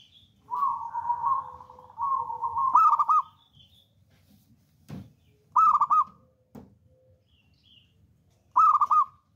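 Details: Local wild-type zebra dove, a bold, persistent singer, with drawn-out purring trills followed by short bubbling coo phrases repeated about every three seconds; a few knocks between phrases.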